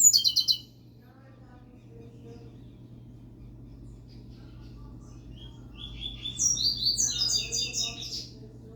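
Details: Pet double-collared seedeater: a brief high buzzy burst at the start, several seconds of near silence with soft room hum, then a rising run of quick, bright whistled chirps repeated about three per second.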